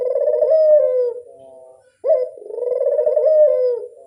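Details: Two loud rolling coos of a Barbary dove played as a lure, each about a second long with a soft falling tail, about two seconds apart.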